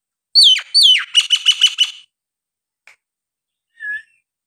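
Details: Nias hill myna song used as therapy for birds that will not sing: two loud, downward-swooping whistles followed by five rapid ringing notes, then near silence with one faint short whistle.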